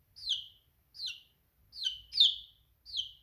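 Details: Chick of a domestic chicken peeping: five clear, piercing notes that drop sharply in pitch, repeated roughly every half second in a quiet setting, one pair coming close together.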